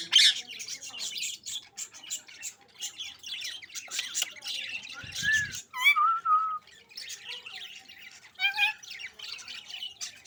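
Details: Pet budgerigar chirping with dense high twittering throughout, broken by clear whistled notes and a rising-falling warble near the middle, plus scattered sharp squawks.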